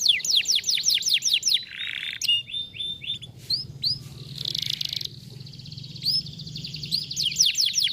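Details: Canary song meant to stimulate a lazy canary to sing: fast series of rising sweeps, a brief buzzy burst, a sustained trill, then more rapid repeated sweeping notes, all high-pitched.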